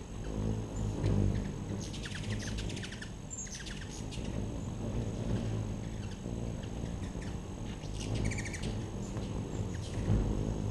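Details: Several hummingbirds around a backyard feeder give quick, high, twittering chip series in scattered bursts, with short sharp notes between. A continuous low rumble, like distant traffic, runs underneath.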